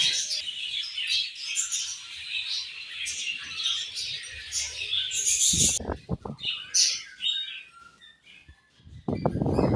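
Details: Budgies chirping at morning feeding time: steady high twittering chatter for several seconds, then interrupted by loud broadband clattering bursts, likely from movement at the feeder.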